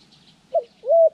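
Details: Spotted dove used as a trapping decoy, recorded January 14, 2020 during lure training: two short cooing notes, a brief clipped coo followed by a longer, smooth, slightly arched coo, over a quiet background.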